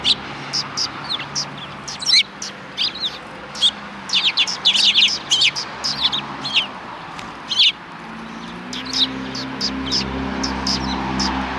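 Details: Sparrows gathered on the road before a Tenmangu shrine on 13 December 2019. Dense, lively chatter of overlapping high chirps and twitters comes from several birds at once, over a low rumbling hum in the background.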